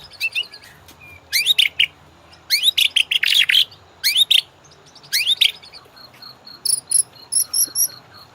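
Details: White-rumped shama training song for caged birds, meant to coax them into ngorak: clusters of steep, loud downslurred notes, then higher, thin, rapidly pulsed trills near the end.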